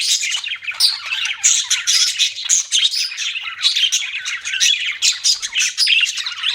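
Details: Budgies chattering, pulsing bursts of raspy chirps and high squeaky whistles that overlap continuously, loudness rising and falling every half second or so.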